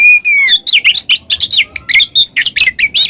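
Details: Oriental magpie-robin (kacer) singing in ngeplong and ngekek style, used as a lure to get a quiet magpie-robin singing: loud, continuous run of rapid whistled slurs and sharp chirps, rising and falling notes packed closely together.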